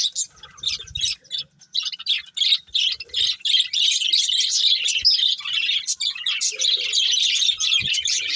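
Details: Budgerigars kept as a breeding pair, producing scratchy chirps that start in spaced bursts and build into a continuous, busy warbling chatter toward the end.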